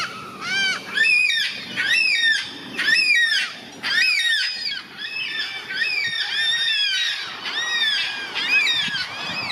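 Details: A large flock of yellow-tailed black cockatoos (Calyptorhynchus funereus) on the North Coast of New South Wales, Australia, gives overlapping drawn-out, wailing screeches that rise and fall, about one a second.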